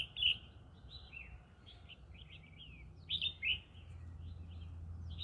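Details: Green-cheeked conure in a rice field, with bright chirped notes at the start and a pair of louder squeaky bursts later, softer twittering between, against a continuous low background hum.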